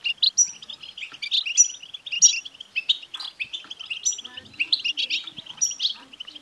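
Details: Lively European goldfinch song for stimulating a male goldfinch: quick, tinkling twitters and crisp high chips in rapid succession, with a faint low hum toward the end.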